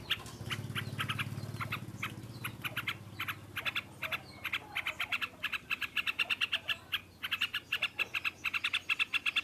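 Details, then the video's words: A yellow-vented bulbul sings a loud ngropol song. Low humming noise at the start is gradually overtaken by fast, clipped chirps in clustered runs that grow steadier and louder. "Burung trucukan ngropelpelpel keras"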